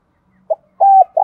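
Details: Caged decoy spotted dove kept for luring wild doves gives a brief soft coo note, a pause, then a sustained hollow coo cut off by the start of another.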